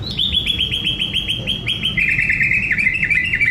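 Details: White-rumped shama from Indonesia, sunbathing, singing a fast series of short, high, down-slurred notes at about three per second, then a run of lower, warbled, buzzy notes. A steady low hum runs underneath.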